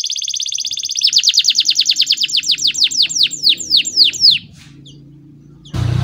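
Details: Canary singing a lure song with long rolls and pauses for teaching young birds: a quick high roll turns into a run of sharp descending notes that slow and stop, then near silence, then a sudden loud noise burst at the end.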